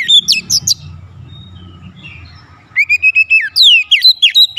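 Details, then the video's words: Lure song of a white-rumped shama for provoking other shamas: sharp whistled phrases at the start, a quieter stretch with low rumble, then a lively string of rising and falling whistles. "PANCINGAN KACER ANTI BISU mancing Kacer lain cepat emosi dan gacor"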